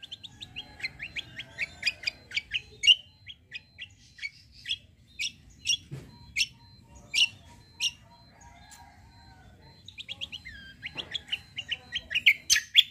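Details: Kecial kombo white-eye of competition standard, suited as a tutor for training other birds. Long, varied, fast twittering of sharp high chirps in bursts, briefly pausing midway and then resuming in a dense, energetic chatter.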